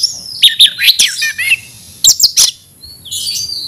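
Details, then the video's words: Captive Oriental magpie-robin (kacer) giving an aggressive fighting song: bright slurred whistles and rapid trilled notes, broken by sharp loud clicks in two bursts, ending in a thin high drawn-out whistle. "kacer gacor tarung ngotot agresivitas"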